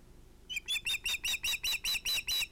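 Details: Evening fish delivery at an osprey nest at sunset, 11 August 2018, with two ringed chicks. Loud high piping calls start abruptly, then about nine evenly spaced, slightly downslurred whistled notes follow in rapid succession.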